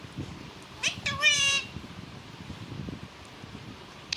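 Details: Pet parrot speaking Balochi: one brief, strained, harmonic word-like burst, followed by quiet background murmur.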